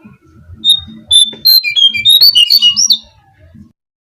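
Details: Brown-cheeked fulvetta song used as a lure for trapping birds: a long steady whistle followed by a rapid jumble of clear, slurred whistled notes rising and falling, with faint low rumbling underneath.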